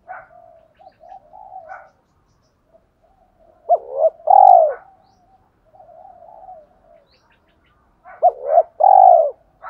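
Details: Spotted dove singing the thổ pha đồng style coo to stir wild doves: quiet low mumbling notes between two loud phrases, each a brisk double note and a long, full, slightly falling coo, about four seconds apart.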